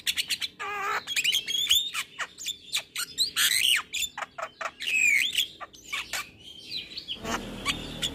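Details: Morning song of a male Javan myna: fast mix of sharp clicks, squeaky rising and falling whistles and scratchy chatter, delivered in dense bursts with short gaps.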